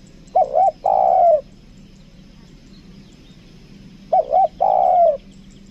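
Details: A captive spotted dove used as a decoy coos twice: each phrase is two quick soft notes, then a longer rolling coo, with the phrases about four seconds apart over a faint low hum.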